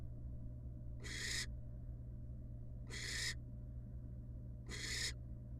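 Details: Female wild barn owl returning to her young in a nest box after bringing up an owl pellet; three long, harsh, breathy shrieks about two seconds apart against constant low background hum.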